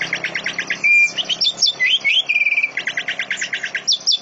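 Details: Greater green leafbird singing in dense canary-like bursts that also carry cililin and lovebird phrases: rapid chattering notes, a short level whistle, rising slurs, then more fast repeated chirps.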